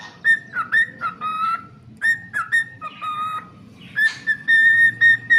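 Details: A pet cockatiel sings in clear whistles, level held notes broken by quick dips and short pauses, the phrases coming in bursts about twice a second.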